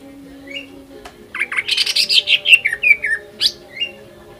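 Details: Greater green leafbird song for provoking rivals to sing: a few soft whistles, then a dense, loud burst of buzzy chatter and slurred whistles that tapers into sparse notes, over a low hum.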